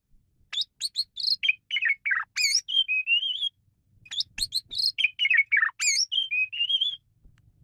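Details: Male Asian pied starling, kept bird, singing a varied song used as a lure to train other birds: rapid whistled and chattering notes, some sliding down, in two long phrases separated by a short pause.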